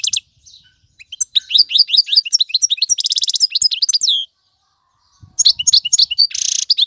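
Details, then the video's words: Male European goldfinch song for chick tutoring: a few soft notes, then lively twittering and a buzzy rattle, a second of silence, and a renewed burst ending in a nasal wheeze. "اقوى تغاريد الحسون, مقنين فحل لتعليم الفراخ"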